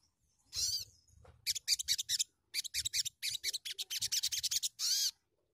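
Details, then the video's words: Sunbird (sogon) lure song for training untrained songbirds: high sweeping notes framing a long run of fast, scratchy, high-pitched trilled pulses, with faint low thumping in the background. "PANCINGAN BUNYI SOGON BAHAN"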